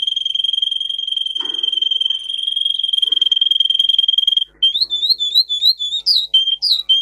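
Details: Russian singer canary, a canary bred for singing, recorded as a training song for other canaries: a long, steady, high rolling trill held for over four seconds, then a quick run of short rising and falling whistled notes.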